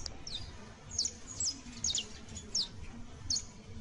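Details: Fledgling saffron finch (Sicalis flaveola) producing early song: about eight thin, high, sharply falling notes, some in quick pairs, spaced roughly every half second over low noise.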